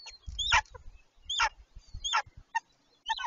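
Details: A pair of golden eagles mating on their nest on 26 March 2023, the female laying her second egg the next day: sharp, descending yelping calls in short bursts, with soft low thumps and rustling from the nest.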